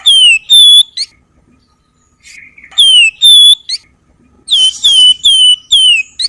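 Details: Javan wergan singing varied phrases used to tutor other songbirds: loud clear descending whistles in groups of three, a soft pause, then more bright slurred whistles repeated about twice per second.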